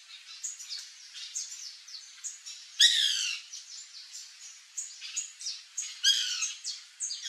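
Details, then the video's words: White woodpecker in a backyard with fruit trees, Brazil: two loud, harsh, rasping squawks about three seconds apart, amid steady high-pitched chirping and twittering. "CANTO do PICA-PAU-BRANCO (MELANERPES CANDIDUS), WHITE WOODPECKER, BIRRO, CRI-CRI"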